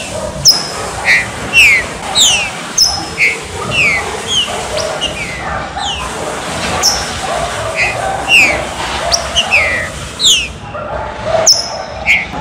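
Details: A green-winged saltator gives its "chuva/serrinha" song, used to stir captive birds: a steady shower of short, slurred whistled notes, many rising or falling sharply, one or two a second, over faint hiss.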